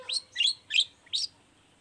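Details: Long-tailed shrike recording for luring other shrikes: four quick, sharp, buzzy chirps spaced about a third of a second apart.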